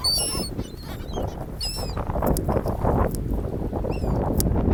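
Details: Seagulls at a sandy beach on an ocean gulf, interacting with people: a few high, harmonic, slurred cries near the start and again near the end, over a steady low rumble of surf and wind.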